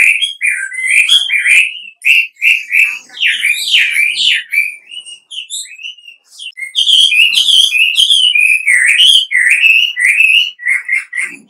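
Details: Wambi calling as a lure to provoke replies: varied whistled phrases in uneven bursts, some slurred upward and some chattering, with a brief lull midway before a long, loud run of rapid notes.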